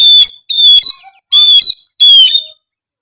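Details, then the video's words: Oriental magpie-robin in chatty song, used to prompt lazy magpie-robins to sing. Four loud, clear, steady whistled notes, each about half a second long, with short gaps between them. "siulan kacer gacor memancing kacer malas bunyi menjadi lebih rajin bunyi"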